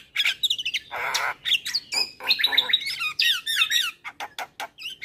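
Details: Black-winged starling male in full song, kept to tutor young starlings; a noisy rasping burst followed by chains of warbled, rising and falling whistles and scratchy squawks, sung continuously with short gaps.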